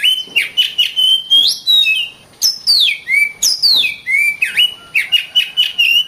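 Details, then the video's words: Oriental magpie-robin in dense, varied song: warbled notes hover around one pitch, mixed with downward swoops and quick chirps in close succession. "Kacer Bird Singing"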